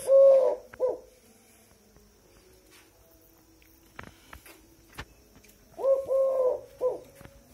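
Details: Tame Eurasian collared dove cooing twice: each phrase is a low, smooth, hollow note, or two, followed by a shorter clipped coo, and the phrases are about six seconds apart. Quiet background with a few light knocks between them.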